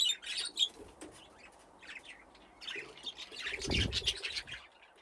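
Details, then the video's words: Budgerigars in an aviary with nesting boxes, a flock grown from two pairs, playing; bursts of high chattering chirps and warbles in clusters, with a low thump and some wingbeat sounds midway. "Budgies playing in the aviary"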